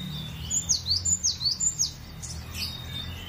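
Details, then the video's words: Cinereous tit singing a bright, high whistled song of paired notes, each sweeping sharply downward, repeated quickly about six times before stopping; a low rumble underneath. "GELATIK BATU..PLONG BANGET BERKICAUNYA"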